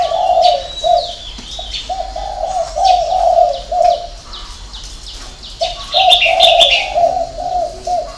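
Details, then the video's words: Six-note cooing of a spotted dove, style hậu 3: mellow low coos repeated in a rhythmic string, a gap, then the phrase again, with small birds chirping and trilling higher up. "chim cu gáy 6 tiếng ( hậu 3)"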